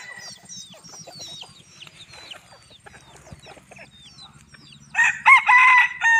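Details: Young bantam rooster, about a year old, outdoors on a hot evening in Bueng Kan, bursts into a loud, high, strained, abruptly cut crow near the end, after faint chirps and whistles of small birds.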